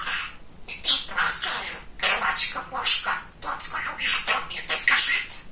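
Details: Very chatty male budgerigar kept as a pet, chattering speech-like phrases: grainy high syllables in runs, a pause near three and a half seconds.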